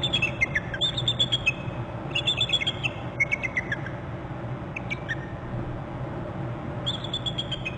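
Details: Bald eagles alerting together at a Hornby Island nest, January 18, 16:47, as another eagle joins: repeated stuttering series of high, squeaky chirps falling slightly in pitch, several runs with pauses, over steady low rumbling noise.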